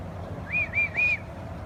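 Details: Birds chirping in the morning: three clear whistled notes in quick succession, each rising then falling slightly, the last a little longer, over a low background hum.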